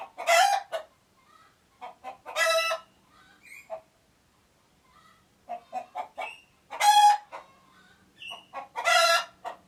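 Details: Rooster and hens making alert noises: bursts of rapid clucks that build into loud grating squawks, four main squawks spread across the recording.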